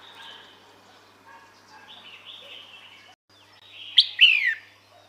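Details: Female red-whiskered bulbul calling to attract males: soft, low-key warbled notes for several seconds, then a loud sharp whistle followed by a descending slurred note.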